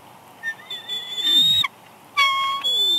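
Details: Wild bald eagle female at her Big Bear Lake nest, California, March 6, 2021, whining as the male arrives with a headless fish. High, thin whistled notes that waver and rise, then a louder sustained whine, with a low rustling sweep between.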